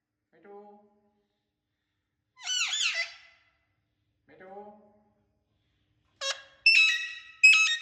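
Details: Talking Indian ringneck parakeet making its natural sounds: soft, low murmured phrases alternate with a loud burst of wavering, harsh squawks, then closing run of sharp, shrill, high-pitched screeches given in quick succession.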